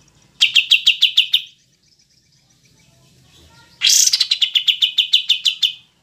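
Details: Kapas tembak, pied triller: a rhythmic trill of about seven pulsed notes, a pause, then a longer phrase with a sharp high opening and a steady train of descending pulses.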